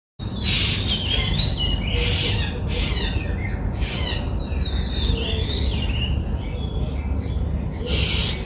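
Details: White-bellied drongo (Dicrurus caerulescens) in Sri Lanka giving varied metallic whistles and twangy notes, broken by several harsh rasping bursts, over a steady low rumble of wind or distant traffic.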